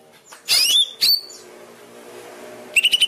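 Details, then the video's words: Greater green leafbird master song for training caged birds: two bright sweeping whistles, a quiet gap with faint background hum, then a short burst of quick chips. "Masteran cucak ijo cepat gacor"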